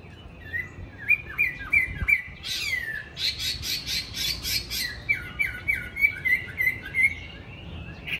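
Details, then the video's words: Tame caged Chinese hwamei, a good fighter, in Hanoi, Vietnam: repeated short clear whistled notes in even series, broken in the middle by a burst of harsh, noisy pulses. "Mi đẹp thuần đấu tốt"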